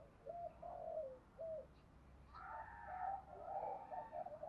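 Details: Decoy spotted dove prized for its good voice, kept to stir other doves to coo: several mellow low coos, then a longer blurred run of overlapping cooing over a steady background hiss.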